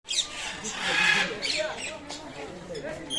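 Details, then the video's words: Rose-ringed parakeets give harsh, grating screeches: a loud raspy burst early on, then shorter scattered squawks over a faint noisy background. "The sound of the beautiful Tia birds"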